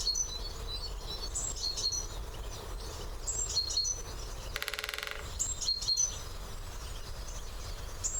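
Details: Great spotted woodpecker drumming at the turn of the year: a short machine-gun roll of evenly spaced knocks midway, with repeated high whistled notes from other songbirds throughout.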